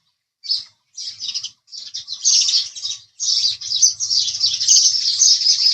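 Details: House sparrow chirping that begins as spaced, single chirps and builds into an unbroken, busy chatter of rapid overlapping notes over a faint low hum.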